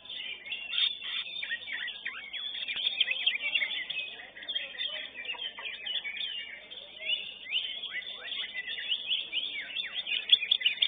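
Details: Greater green leafbird at a songbird competition, winning first place in its class, pouring out a dense, rapid stream of high chattering and whistled phrases, with other birds' calls overlapping throughout.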